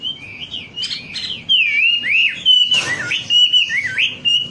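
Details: Wambi singing, recorded as a trigger sound for caged birds: a continuous flowing warble of looping whistled notes that swing up and down, with one brief noisy crackle.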